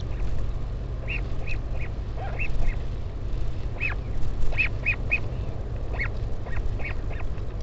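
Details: Northern royal albatross at a parent's visit to its chick in the colony at Taiaroa Head near Dunedin, New Zealand, 16 July 2019: short arched nasal notes in irregular bursts, some doubled, over steady low wind rumble.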